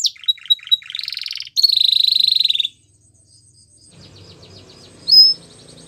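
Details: Canary training song fragment: a few sharp high notes and a rapid trill followed by a loud buzzing roll, then near quiet with faint low rumble and one brief high whistle.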